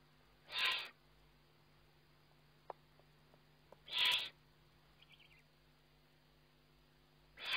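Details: Eurasian eagle-owl on a webcam at feeding time, 29 May 2011: three short, harsh, broadband hissing screeches about three and a half seconds apart, with faint clicks and a brief soft chirp between them.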